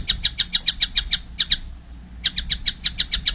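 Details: Collared kingfisher chick already calling well: rapid rasping notes in two runs split by a short pause, each note sharp and harsh, with a soft low hum in the background.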